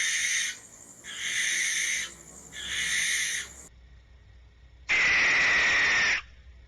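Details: Barn Owl territorial scream, a loud drawn-out screech usually given at night to defend space or warn off intruders: three harsh, hissing, rasping bursts about half a second to a second long, then a longer, louder scream lasting over a second.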